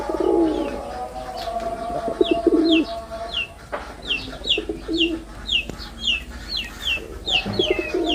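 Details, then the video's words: Male red-bordered wild pigeon displaying with deep rolling coos in the opening seconds, after which a run of rhythmic high chirps from small birds takes over, one every half second. "লাল বডার বুনো কবুতরের অসাধারণ ডাক || Pigeon Sound Effect || Male Pigeon Super Performance"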